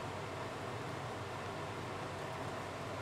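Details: Only dense, even broadband hiss is heard throughout, like rushing wind or distant engine noise.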